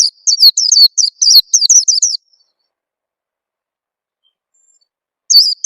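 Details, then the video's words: A two-second stream of high, sharp, downward-sliding chirps, then silence and one last short burst; Oriental white-eye sound used to lure and stimulate untrained birds into song. "suara pikat burung peleci bakalan biyar cepet bunyi"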